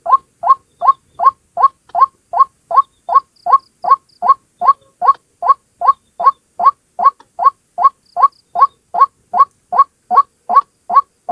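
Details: Single White-breasted waterhen lure recording: a clean, tireless series of loud rising croaks, steadily repeated about two and a half times per second, with a silent background.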